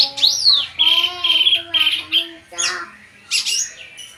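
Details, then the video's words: Drongo (srigunting) in lively song: opens with a looping slurred whistle, then steady repeated whistled notes carrying lower tonal overtones, followed by harsher raspy notes and a final bright burst. "burung srigunting gacor full"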